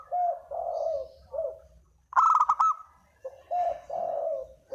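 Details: Lure coo of a spotted dove. Soft, throaty coo phrases come in short groups and are broken midway by a brief, harsh, rattling burst, then the coos resume.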